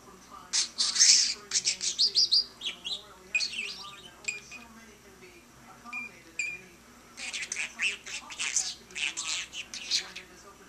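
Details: Pet budgerigar chattering to a lamp indoors: bursts of high, scratchy warbles and clicks in two long runs, broken by a quiet stretch of soft single chirps.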